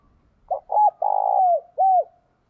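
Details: Decoy spotted dove calling to draw in wild doves, giving a soft opening note, then a short arched coo, a long level coo dropping at its end, and a final rounded coo.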